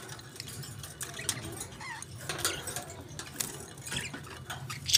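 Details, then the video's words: Budgerigars chatter in quick, scratchy high chirps and short warbled notes, with clicks and light metallic clinks around them. "Budgies Beautiful Chirping Sounds"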